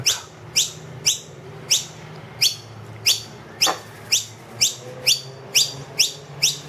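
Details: Noisy miner with two young inside a room, demanding food loudly from an empty feeder; loud rising chirps about twice per second, slightly irregular, over faint low hum.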